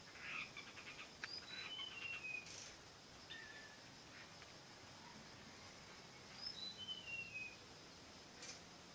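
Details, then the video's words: Bird gives short runs of thin whistled notes that step downward in pitch, one run near the start and another after a pause of about five seconds, over steady outdoor background noise. "Sangat Indah Suara burung ini"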